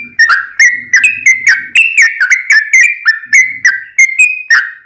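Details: Sooty-headed bulbul in fighting-style song used as a tutor for caged birds: quick succession of bright whistled notes with sharp attacks, pitch stepping up and down, over faint low chatter.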